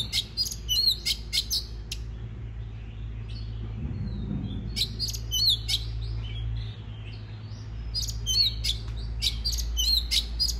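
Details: Oriental magpie-robin song used to provoke other birds into singing: bright clusters of ringing whistles and rapid clicks, a calmer passage of faint warbling, then further loud, energetic bursts.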